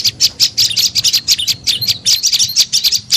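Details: High, tinny chirps of a tailorbird, played to attract birds, tumbling in irregular quick clusters of two or three notes without pause over a quiet low background hum.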